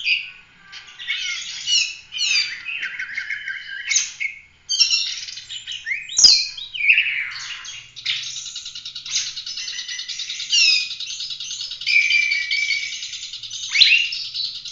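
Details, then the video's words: Oriental magpie-robin in full continuous song, kept as a master recording for training other songbirds; a dense run of varied whistles, trills and buzzy chattering phrases, high and bright, with one sharp click near the middle. "Kacer gacor ful roll tembak cocok buat masteran"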